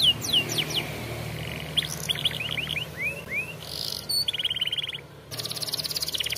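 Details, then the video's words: Canary song for training young canaries: quick falling whistled sweeps, a burst of rising slurs, a buzzy rattle, then a rapid pulsed trill, over a low steady hum. "Canary Bird Singing Video Training Canaries - Canary Singing Like A Champion For Young Canary"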